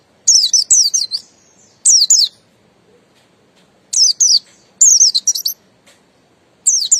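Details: Buxton's white-eye song, ngalas style, given in short separated phrases of two to five thin, high, downward-slurred whistles with brief quiet gaps between them.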